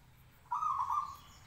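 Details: Local zebra dove in a cage, singing to provoke others to reply: one clear, vibrating coo phrase of under a second, steady in pitch, against soft ambient noise.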